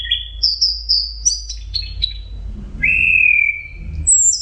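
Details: Orange-headed thrush singing intensely in the state called teler, recorded as a training tape for songbirds: high whistled phrases, a long steady whistle near the middle, then a sharp high note at the end, with a low hum underneath.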